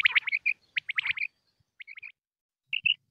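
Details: Common quail calls from Pakistan meant to attract quail for hunting: a quick cluster of sharp notes, then fainter paired whistles with short pauses between them.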